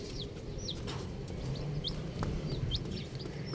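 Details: Colourful baby chickens chirping, with scattered high thin peeps at intervals over a strong low rumbling hum and a few faint clicks.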